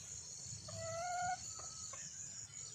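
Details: Wild junglefowl hen calling for a male mate: one drawn-out, harmonic, slightly rising nasal note lasting about half a second, then a brief fainter note. A steady high insect drone and low rumble run underneath.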